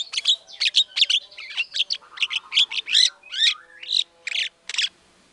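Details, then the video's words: White-rumped shama in full, vigorous song, used as a lure to set other shamas answering: a rapid run of loud, varied whistled and buzzy phrases, high and sharp, tumbling one after another for about five seconds. "PANCINGAN MURAI BATU GACOR BONGKAR MATERI SEREM, SEKALI DENGAR MURAI NYAUT LANGSUNG EMOSI"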